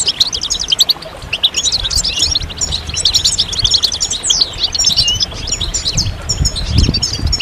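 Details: Several European goldfinches in group song used to encourage silent males to sing: continuous high, rapid twittering and liquid chirps, overlapping, with a steady low background hum.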